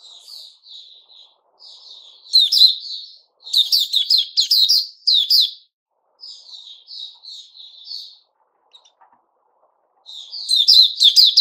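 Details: White-rumped shama, locally puteh raja, in 'buka' song recorded 29 August 2021. Soft thin high warbles alternate with loud, rapid bursts of sharp whistled notes. Quiet gaps fall between the phrases.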